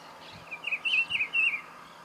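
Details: Greyish saltator recorded while feeding at Esperanza, Santa Fe, Argentina, in 2022: a quick run of about five short, high chirped notes packed into roughly one second, over a faint steady background hum.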